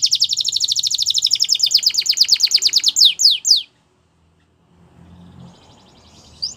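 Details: Canary delivering a rapid even trill of repeated notes for about three seconds, ending in three steep sweeping notes, then quiet with faint background rumble.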